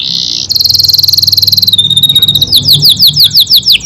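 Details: Singing AF canary: a buzzy held note, then a long, rapid high trill, followed by slower, evenly spaced downward-sweeping whistles repeated about four per second.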